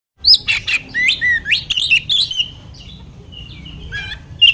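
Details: Oriental magpie-robin (kacer) song used as a lure to make other magpie-robins respond and sing: a quick run of loud, varied whistled and chattering notes with sharp rising and falling slurs, then quieter thin whistles and a final burst of harsh notes.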